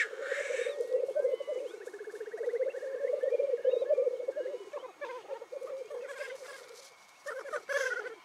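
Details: At a Cairngorms National Park lek one morning, black grouse keep up a dense, pulsing low bubbling chorus with interjected harsh hisses, while faint chirps and a brief rattling trill sound above it.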